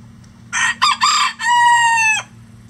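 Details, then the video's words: Close, loud rooster crow from a farm flock of at least 20 standard and bantam chicken breeds: three short choppy syllables followed by a long, even, ringing final note, nearly two seconds in all, against a quiet low hum. "20 Roosters Crowing For 20 Minutes"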